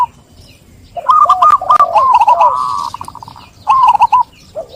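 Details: Zebra dove (perkutut) song: a soft low coo followed by a run of quick, bubbly trilled notes near one pitch, then a brief pause and another short trilled phrase.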